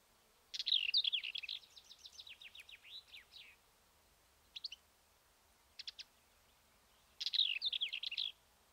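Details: Black-eared Wheatear near Ermita de la Virgen de la Sierra, Cabra, Andalusia, Spain; a scratchy, rapid twittering phrase of buzzy high notes lasting about three seconds, then short clicks and another brief burst.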